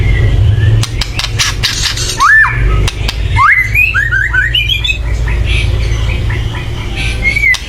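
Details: White-rumped shama giving loud agitated chatter meant to provoke other birds into singing: harsh broadband rattles and clicks mixed with short rising whistled slurs, over steady low hum.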